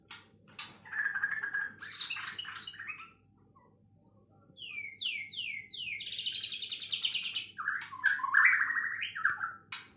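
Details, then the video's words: White-rumped shama from Kalimantan, Borneo, in long singing: varied phrases of rich whistles, a rising series of three slurred notes, buzzy trills and chattering, with a pause midway, over a faint steady hum and a high constant tone. "Murai Batu Kalimantan nembak panjang"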